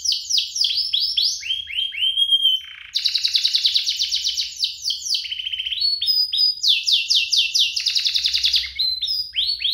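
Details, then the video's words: Canary pair in vigorous song, played to prompt other canaries and tutor young ones: runs of upslurred notes, a brief pause, then dense buzzy rolls and repeated rising phrases, alternating rhythms throughout. "Kompilasi DUO GACOR, cocok untuk pancingan kenari biar gacor, masteran kenari paud"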